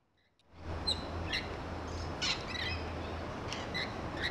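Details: Rainbow lorikeets in a back-garden grevillea, feeding and screeching: sharp squawks and chirps scattered through, over a low pulsing hum.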